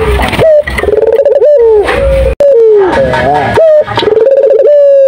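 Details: Energetic turtle dove song of loud tonal coos, pulsed phrases held at one pitch and ending in drooping notes, with brief silent breaks.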